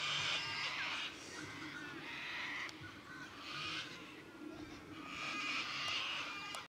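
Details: Large flock of sulphur-crested cockatoos in a paddock in Victoria, Australia, giving harsh, raucous screeches in overlapping waves that swell and fade every second or two, with a steady low background hum.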